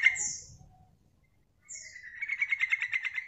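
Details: Yellow-vented bulbul female calling to entice males: a trailing chatter and thin high slurred note, a second of silence, another high slurred note, then an accelerating run of fast bubbling pulses; faint low rumble early on.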